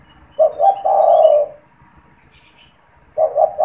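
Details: Caged spotted dove cooing persistently, used as a calling and lure bird to stir other doves into cooing and to trap wild doves; two short notes then a long rolling coo, a second phrase beginning near the end, faint chirps from other birds.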